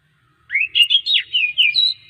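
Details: Oriental magpie-robin song meant to coax other magpie-robins into singing: one brief phrase of five or six sliding, clear whistled notes lasting about a second and a half.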